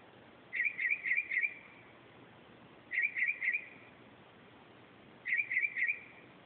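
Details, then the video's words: Night-singing northern mockingbird at 2:30 am repeating a short chattering phrase of four rapid notes, the phrase given three times roughly every two and a half seconds over quiet hiss. "Mockingbird at 2:30 am"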